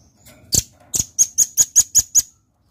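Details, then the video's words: Red-billed nuthatch delivering a quick series of high, piercing notes, starting with a couple of spaced notes, then speeding into an even run of six. "Suara Rambatan Paruh Merah Gacor"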